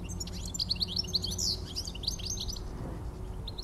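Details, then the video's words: European goldfinch singing on a July evening in Somerset, 17 July 2024: rapid tinkling, twittering notes and short buzzy trills at high pitch, with a steady low background hum throughout. "Singing Goldfinch"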